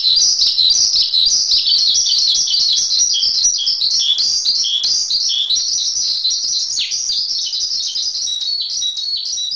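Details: Busy high twittering from a Javan pied starling, a masteran training song: fast chirps and trills, slowly softening toward the end.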